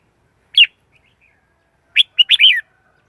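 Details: Decoy Red-whiskered bulbul singing to lure wild birds for trapping: a single sharp note, a pause, then a quick run of three or four fluty, wavering notes over a silent background.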